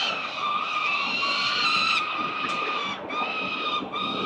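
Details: Four Peregrine Falcon chicks at a building nest in Victoria, filmed by CCTV on 4 November 2021 during morning breakfast feeding. Loud, sustained harmonic wailing calls, nearly continuous and overlapping, with a brief dip near three seconds.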